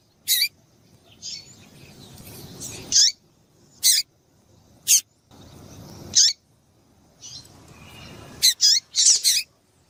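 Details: Female double-collared seedeater giving its stimulating call to males: crisp, high, abrupt chirps, paired or clustered, recurring every one to two seconds against a faint low hum.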